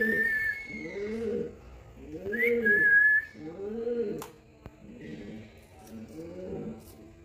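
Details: A green parrot, described as a talking parrot, gives two bright, clear whistles over a run of low, soft, arching coo-like notes, repeated about once a second, in a quiet indoor room.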